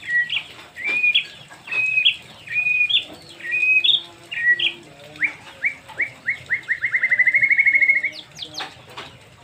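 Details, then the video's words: White-rumped shama song with a showy, varied repertoire: quick whistled slurs and chirps repeated in rapid runs, building into a fast rising trill of even notes near the end, with a soft lower hum underneath. "murai batu materi mewah"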